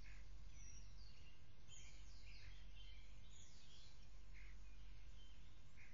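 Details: Six-week-old bald eagle chicks at their nest in Bald Canyon on May 27, 2017, early morning, as the adult male delivers an orange fish: thin, high, downslurred chittering notes in loose bursts over a steady background hiss.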